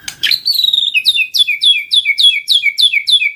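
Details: Murai batu lure song: a long high whistle followed by a fast, even series of about ten downslurred notes, repeated several times a second.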